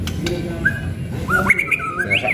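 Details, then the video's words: White-rumped shama of the pastol type, tipped as a future champion, sings a brief phrase of clear whistles stepping upward in pitch, over low background rumble. "Burung Murai Batu Pastol Calon Juara"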